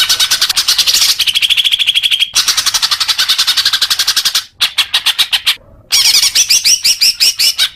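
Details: Song of a leafbird, offered as therapy for newly kept young birds: long strings of rapid repeated chips with a steady whistle running under them, cut by brief silences, then ending in quick, wavering high notes.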